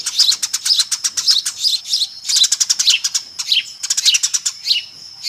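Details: Eurasian tree sparrows in a noisy flock, used as a lure call: dense, rapid high chirps repeated many times a second in bursts, with overlapping birds and short gaps between bursts.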